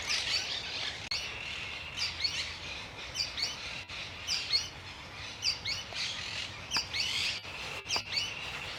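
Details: A Sooty-fronted Spinetail, a small furnariid of jungles, forests, savannas and groves in central South America, gives its distinctive song: sharp, high chirped notes in quick, uneven bursts, about one a second, over a steady hiss of rural background noise.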